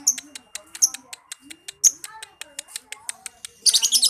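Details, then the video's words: Lovebird singing in the konslet liyer-liyer style: rapid high ticking notes and short chirps at a steady clicking pace, ending in a dense burst of shrill chatter, with faint speech underneath. "tetap liyer konslet , tetep konslet liyer-liyer dengan tambah durasi"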